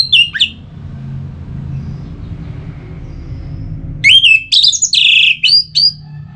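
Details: Orange-headed thrush kept as a cage bird in Singaraja, Bali, with a brief downslurred whistle, a pause of low hum, then a run of loud, slurred, warbling whistles.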